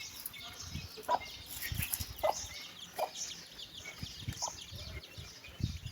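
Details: Hen calling her chicks to walk, giving a few spaced soft clucks about once a second amid constant high chirping of chicks and some rustling and thumps.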